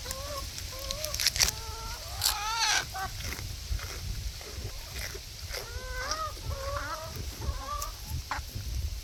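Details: Chickens chattering in a barnyard make a busy run of nasal clucks, some bending upward into longer whining notes, with several birds overlapping, sharp clicks and a faint low hum.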